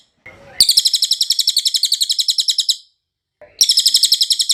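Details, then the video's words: Cililin song used to train other cage birds: two long bursts of fast, ringing, high-pitched chirps in steady rapid series, separated by a brief pause, with faint soft notes before each burst. "MASTERAN CILILIN SUARA JERNIH"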